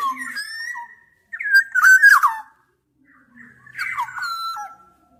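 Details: Black-naped oriole singing mellow, liquid whistles that slide and drop in pitch, in three phrases with brief silent gaps, one bird alone and clear.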